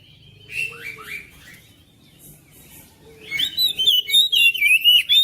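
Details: Oriental magpie-robin at home, song meant to spur another bird into singing: soft downslurred whistles, a quiet gap, then a loud rhythmic run of high whistled and buzzy notes.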